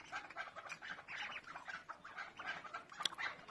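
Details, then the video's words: A chukar partridge (chakor), tagged as female and with chicks, gives a run of short, even clucking chuck notes, several a second, with a sharp click near the end. "keklik sesi chakor birds voice awaz sound bird dasi farmi female madi zirk"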